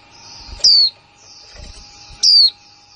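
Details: 2020 recording of a newly kept female white-eye calling in "kick mộc là líu" style: two loud, thin, falling whistles about one and a half seconds apart, with soft rustling and a steady hum.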